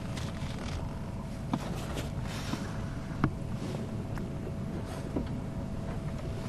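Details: Constant vehicle engine rumble and wind buffeting with scattered clicks, no animal calls.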